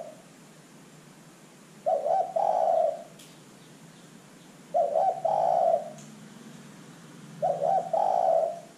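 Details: Spotted dove, calling actively, used as a lure to make other birds respond. Three evenly paced phrases, roughly every three seconds, each a short broken double note followed by a long mellow coo, over soft background noise.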